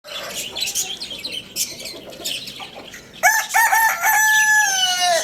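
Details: Lohmann Brown rooster at Lalukhet bird market, morning: after three seconds of busy twittering from small caged birds, a loud harmonic crow bursts in, holds steady and falls slightly at the end.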